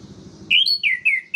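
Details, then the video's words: Orange-headed thrush giving three quick, clear whistled phrases, each sliding down slightly, over a faint low rumbling hum; meant to provoke other orange-headed thrushes into agitation. "PUTARKAN INI 1 MENIT SAJA‼️ DIJAMIN ANIS MERAH LAIN LANGSUNG MENGAMUK"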